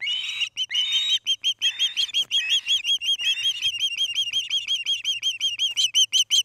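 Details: Nest-cam recording of an osprey at Charlo, Montana, evening of 29 August 2018: a long, steady run of ringing whistled chirps, about three each second, each note arching up then down, with a few rougher notes early on.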